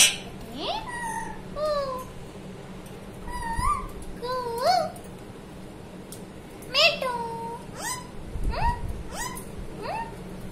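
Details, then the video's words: Talking parrot uttering a long series of word-like sounds: rising and swooping harmonic syllables, some clipped and some drawn out, interspersed with sharp breathy noises, with a constant faint low hum behind. "talking parrot ❤️। बोलने वाला तोता ❤️"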